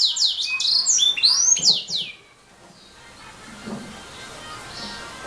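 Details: Canary giving a quick burst of high, rising and falling whistled notes for about two seconds, followed by quiet background hiss.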